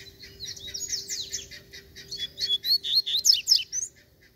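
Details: Free-flying wild fibrado Double-collared Seedeater, described as fierce and calling for a fight: a rapid series of high, sharp chirps speeding into bright, sweeping whistled notes, loudest toward the end, with a steady low hum underneath.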